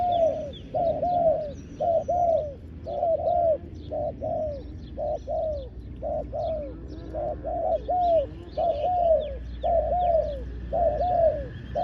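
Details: Decoy dove calling to lure wild doves: rhythmic two-part cooing phrases, each a short note followed by a longer downslurred one, repeated about once a second, with faint high chirps from other birds behind.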